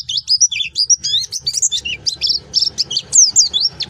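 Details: Lively high twitter of a Pleci Baduy white-eye, tumbling slurred whistles and sharp chips in quick succession, loud and continuous, with a soft low hum behind.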